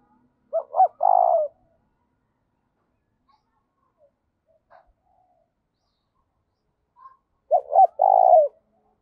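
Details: Spotted dove repeating its thúc call, used as a decoy for wild doves. Two phrases about seven seconds apart, each with short hoots then a longer buzzy coo. Faint soft sounds fill the gap.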